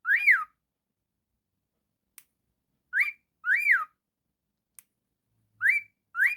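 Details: Pet cockatiel indoors giving loud whistled calls, each a rising-then-falling arch, in small clusters separated by silent gaps of one to two seconds, with faint clicks between.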